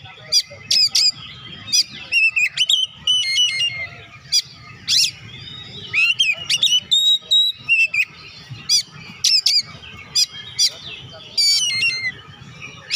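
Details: Oriental magpie-robin in full song, offered to stir lazy birds into singing: loud, varied whistles and sharp rising notes in rapid bursts, with a faint low rumble beneath.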